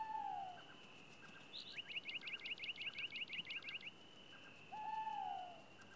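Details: An owl on a farm in Sologne, France, at night gives two slurred, falling hoots several seconds apart, with a rapid chattering trill and a steady high-pitched whine in between.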